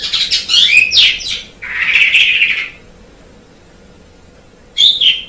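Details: Javan pied starling song: fast scratchy chatter, then a harsh buzzy phrase lasting about a second, silence, and a short whistled ending.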